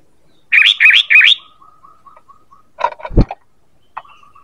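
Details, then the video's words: Lure call of a sooty-headed bulbul, used to draw in other birds: three rapid chirpy notes in a row, then faint thin tones, a short rattle and a sharp knock, and one more brief note. "Suara PANGGILAN dan pikat ampuh burung KUTILANG"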